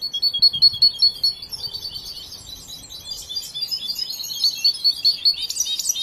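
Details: Young European goldfinch still practising its song opens with a clear, evenly repeated high chip series, then runs into fast tinkling twitters and buzzy trills, close and loud.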